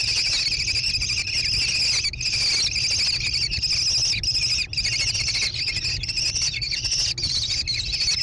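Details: Growing American kestrel nestlings in a barn-side nest box overlooking rolling meadows near Prairie du Chien, Wisconsin, June 2022, recorded by nest camera. A nearly unbroken shrill, wavering trill runs in long stretches with a few brief pauses, and a constant low hum sits underneath.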